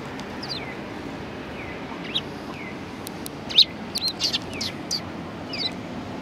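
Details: Sparrows at a Tenmangu shrine on 1 March 2020, giving short downslurred chirps scattered through the clip, with several sharp higher notes near the middle over a steady low background hum.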